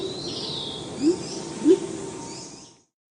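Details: Deep contact calls of Salvadori's Pheasant, a Sumatran highland forest-floor species: two low upslurred hoots about half a second apart over a steady hum of distant higher-pitched birdsong.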